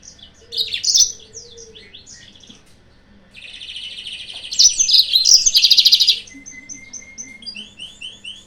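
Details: Yellow-fronted canary master song for luring rivals. Quick high chirps lead into a long, dense buzzy rattle lasting nearly three seconds, then a thin sustained whistle and a few soft descending notes.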